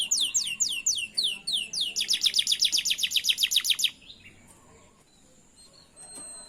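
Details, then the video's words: Canary song meant to help canaries learn to sing: a run of descending whistled sweeps followed by a rapid, evenly repeated bright trill lasting about two seconds, then near silence. "Pancingan burung kenari belajar bunyi."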